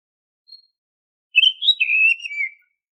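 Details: Oriental magpie-robin (kacer) whistled song, used as a lure to get caged birds singing: a faint high note, then one clear warbling phrase about a second long that rises briefly and slides downward at the end, against a silent background.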